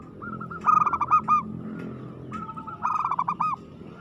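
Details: Aggressive song of a local perkutut, the zebra dove: rapid rolling coo phrases of many quick notes, two bursts about two seconds apart, with a second softer dove overlapping, over steady background noise.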